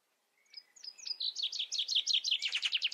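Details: Chaffinch song opening: a few separate high introductory notes, then a quickening run of bright descending phrases that grows louder and is cut off mid-trill.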